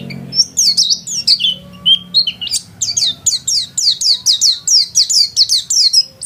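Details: Lively white-eye kept at home: varied high chirps and brief whistles at first, then a fast, regular run of sharp descending notes, roughly three each second.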